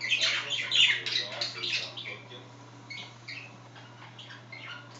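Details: Two caged budgerigars chattering at home: a loud rush of scratchy, buzzy warbles in the first two seconds, then softer scattered chirps and squeaks trailing off.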